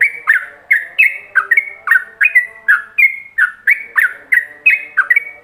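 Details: Ropelan-style yellow-vented bulbul song used as a master recording for other bulbuls to copy: quick series of clear whistled notes, each sliding down then up, roughly three per second, with a faint steady background hum.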